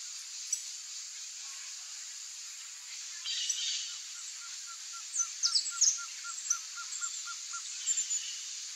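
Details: Female Blue-crowned trogon calling a long run of about fourteen soft, low, rapidly repeated hoots over a steady insect hiss, with sharp high chirps from other birds mixed in.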